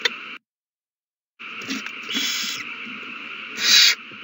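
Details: Owls at the nest in a frenzy after a mouse is found and handed over, March 21, 2020. A one-second dropout to silence, then soft scratchy hisses and a loud rasping screech near the end, over a steady hum.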